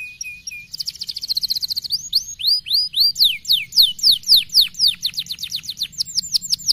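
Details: Canary delivering a stimulating song: a short held tone, then a fast buzzy trill, then a long rhythmic run of bright rising and falling whistled notes.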